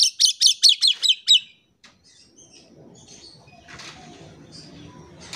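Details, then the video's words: Gacor song of an Oriental magpie-robin (kacer), used to coax silent birds: a quick run of about seven sharp rising whistles, followed by faint background chatter and noise. "PANCINGAN KACER GACOR"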